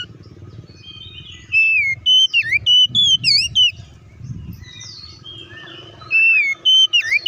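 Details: Oriental magpie-robin singing in bold 'ngeplong' style as a lure to excite other magpie-robins. After a soft start come clear, looping whistles and sharp, bending notes in quick groups, with a low engine-like hum in the background.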